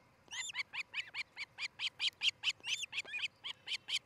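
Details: At a nesting osprey pair's nest in Charlo, Montana, on 13 July 2018 between about 06:13 and 07:13 in the morning, an osprey gives a fast series of about seventeen shrill, whistled chirps, roughly four a second and slightly uneven, over a faint low hum.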